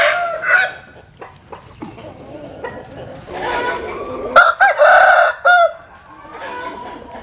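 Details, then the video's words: Chickens basking in morning sun at dawn, a rooster giving a loud ragged crow in several strained bursts near the middle, preceded by scattered clucks and quiet pauses. "Tiếng Gáy Lúc Tinh Sương"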